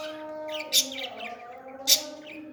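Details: Young parrot at feeding time, two loud piercing chirps about a second apart among softer twittering, over steady sustained tones in the background.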